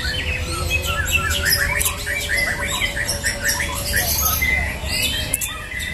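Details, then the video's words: White-rumped shama (murai batu) singing in a bird song competition: rapid, varied bursts of whistled and chattering notes in quick succession, with other birds overlapping and a steady low hum beneath. "PERTARUNGAN BURUNG MURAI BATU, ADU TEMBAKAN"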